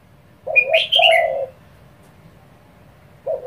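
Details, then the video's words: Spotted dove calling fast to provoke other doves: a low two-part coo, a short note then a longer hooted one, overlapped by high sharp chirps from another bird, then quiet before the next coo begins. "cu gáy thúc dồn kích bổi cực nhanh | tiếng chim cu gáy kích bổi | chim cu gáy gù"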